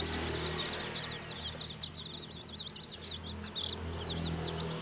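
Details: Baby chicks chirping together, a dense overlapping stream of short high peeping notes, many birds at once, with a low steady hum underneath.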